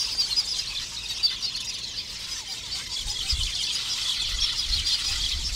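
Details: Lesser masked weavers calling at a busy breeding colony in thorn acacias near water, males displaying at nests; dense, continuous high squeaky chattering and buzzy twitters from many birds overlapping, with low rumbling thumps underneath.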